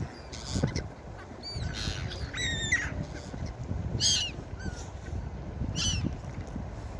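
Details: Gulls calling at the beach: a quick series of sharp, harmonic squealing cries, some rising and some falling, several overlapping in bursts over about seven seconds, above a steady low rumble of surf and wind.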